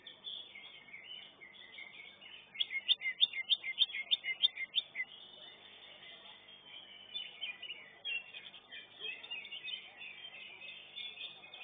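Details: At a caged bird-singing contest, a greater green leafbird (cucak ijo) in the first-class round delivers a fast series of piercing, evenly spaced whistled notes for about three seconds, then softer chattering phrases over a constant chorus of other birds.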